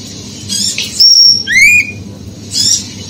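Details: Female oriental magpie-robin call meant to rile males: one long level high whistle, then a lower rising slurred whistle, with soft chirps before and after and a low hum beneath.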